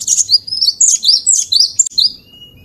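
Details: A glatik batu (cinereous tit) sings as a vocal master for song training. Rapid, high, chattering notes come in about eight quick bursts, followed by a thin, steady whistle at the end over a quiet, low background hum.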